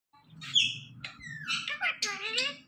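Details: Rose-ringed parakeet kept as a talking pet, imitating a cat's meow: a squeaky, high meow-like call followed by slurred speech-like warbles and rising notes, with a low hum underneath.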